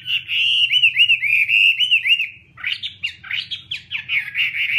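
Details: Chinese hwamei delivering a string of rounded, repeated whistled notes at even pace, then switching to sharper, steeply rising and falling slurs in quick succession; faint hum behind.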